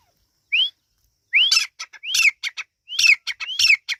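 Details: Partridge chicks calling: a lone upslurred whistle, then a run of four phrases, each a rising whistle breaking into scratchy, falling chatter notes, given at an uneven pace.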